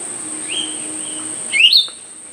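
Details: Myzomela recorded on 25 December 2022 during behaviour observation: soft, thin level whistles, then a sharp, rising, twittering chirp. A continuous high insect whine sits in the background.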